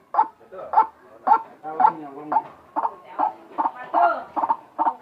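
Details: Odd-sounding white-breasted waterhen call: quick, harsh, nasal notes, about ten in five seconds, somewhat irregular and mixed with softer grating sounds.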